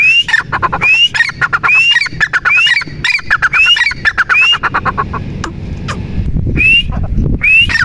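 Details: Partridge calling over and over: sharp rising whistled notes, each joined to a fast run of harsh clicking syllables. The calls come about every 0.7 seconds, stop briefly amid low rumbling noise, then start again.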